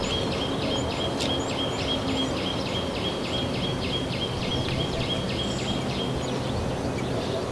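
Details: Small minivet in the Narsapur forest range, a thorn-jungle and scrub area of the Deccan Plateau, India: a thin, high whistled note repeated in a steady rapid series, about twice per second, over a constant low rumbling background noise.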